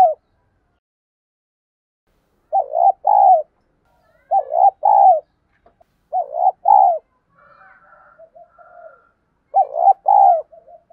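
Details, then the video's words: Spotted dove in the 'thổ đồng' lure style, used for training newly caught birds to coo: four evenly spaced phrases of two short looping notes and a longer falling coo, with faint higher chirps near the end. "Thúc gù gáy gọi/ tiếng Cu gáy mồi giọng ĐỒNG hạp bổi kích mồi luyện bổi mới gáy theo hiệu quả"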